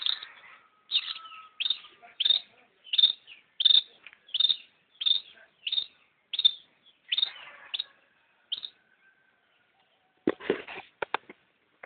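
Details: Long-tailed shrike repeating a sharp, high chip roughly every three-quarters of a second for about eight seconds, then a short burst of clicking noise.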